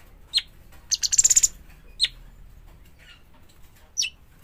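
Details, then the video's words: Young bulbul giving one short burst of rapid, scratchy high chirps framed by a few sharp, downslurred single chips, in a quiet setting. "burung cucak cungkok trotolan"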